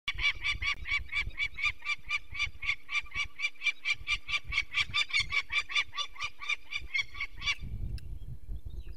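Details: Adult female peregrine falcon at a nest in the Barycz Valley, Poland, 2 May 2023, giving a harsh, rapid cacking alarm at people removing a sick chick, about four grating notes a second for seven seconds, over low wind and handling noise.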